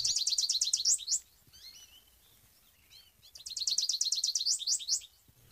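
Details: American Goldfinch (Spinus tristis) gives two bright, high bursts of rapid twittering notes, each about a second long, separated by a few soft chips.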